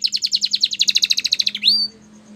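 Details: Canary song used for training, in Spanish Timbrado style: a fast train of about twenty bright repeated notes, then a rising whistled slur.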